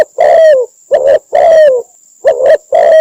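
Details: Cambodian spotted dove call used as a trapping decoy: quick alternation of long descending coos and short double coos, loud and distorted, over a faint steady high tone.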